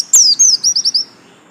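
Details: Caged white-eye kept as a songbird, a short bright burst of high thin notes: one sharp chip, then a rapid run of falling whistled slurs fading out within a second.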